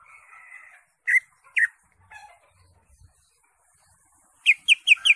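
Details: Greater green leafbird singing in ngentrok jambul gacor full isian style, with crest raised and a song full of varied phrases, as used for tutoring other birds: scattered sharp whistled notes, then a fast burst of four ringing notes near the end.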